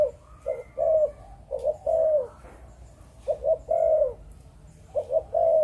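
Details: Malaysian-bred spotted dove singing the 'chụp chụp ô' coo prized by Vietnamese keepers: low, rounded phrases of two quick notes and a longer mellow note, about four phrases in quick succession.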